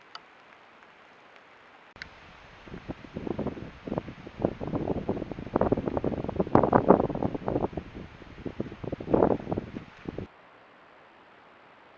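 Rustling and wind-like noise for about eight seconds, with no animal voice heard.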